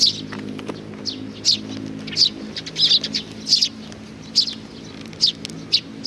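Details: Sparrows come for food, 15 May 2019: crisp, high single chirps repeated roughly every half second to second, irregularly spaced, with a few soft ticks and a low hum beneath.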